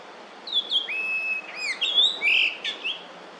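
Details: Chinese grosbeak, a summer visitor in Korea, recorded in early May 2024, singing a quick run of clear, fluty whistles, some slurred up and down, with a few sharper notes, over a faint steady hiss.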